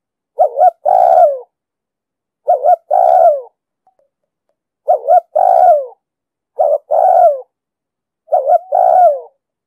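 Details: Spotted dove cooing in the 'đồng sấm' voice with 'thúc gù' phrasing, used to lure and train decoy birds for trapping. Five low mellow phrases, each a short double note then a longer falling coo, spaced about two seconds apart.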